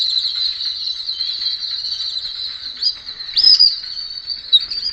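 Jungle babblers keep up a continuous high, squeaky chatter, with a few sharper, louder squeals breaking through near the middle.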